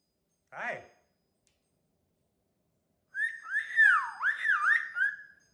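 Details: Pet cockatoo indoors in a small room: one short low vocal note, a pause of about two seconds, then a run of looping whistled notes rising and falling in pitch over two seconds.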